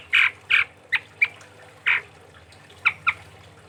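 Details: Chestnut-rumped babbler from Sumatra in vigorous song: loud harsh squawking notes, two close together, then single clipped calls at uneven gaps, ending with a quick pair of sharp notes.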